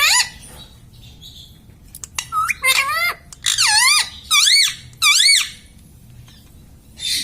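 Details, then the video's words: Talking household parrot that says "mummy": after a few clicks, a string of raspy, wavy-pitched syllables, several repeated in similar rising-falling shapes about once a second, then a short scratchy note at the end, indoors. "Tota Tota mitthu mitthu - Bolne wala tota - tota talk - mummy bolne wala mitthu - talking parrot"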